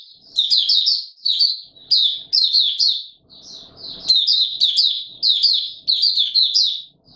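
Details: A caged Mata Puteh Raja white-eye gives open song on 20 March 2022 in warm humid weather, stringing high, tumbling twitters into short bursts, with a short scratchy noise in between.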